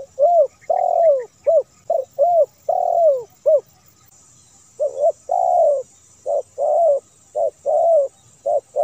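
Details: Edited lure recording of spotted dove song for drawing in domestic and wild doves, with repeated phrases of low, mellow coos, short clipped notes mixed with longer descending ones, a brief pause midway, then more phrases.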